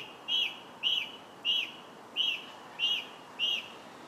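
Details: July song of a song thrush: a rich, slightly slurred whistled phrase repeated six times, roughly every half-second to second, steady and loud against faint background hiss.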